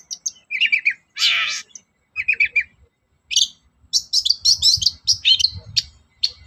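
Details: Long-tailed shrike morning song, played as a lure to make other shrikes sing: rapid chattering trills and a harsh rasping burst, followed by bursts of high twittering notes.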